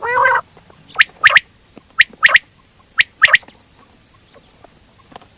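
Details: Quail calling, a local batair sound: short bright notes in clusters of two or three, repeated about once each second, opening with a brief harsh buzzy burst.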